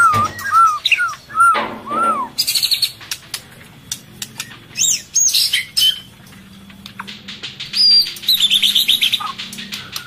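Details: White-rumped shama female in breeding condition, calling to lure males while feeding its chick: varied looping whistles, then sharp rising and falling notes and a fast high twittering run near the end.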